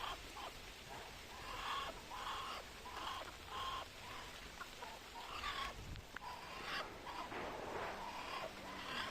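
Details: A Muscovy duck (Cairina moschata) gives short, breathy hisses, repeated roughly every half second to a second, with faint clucking farmyard fowl in the background.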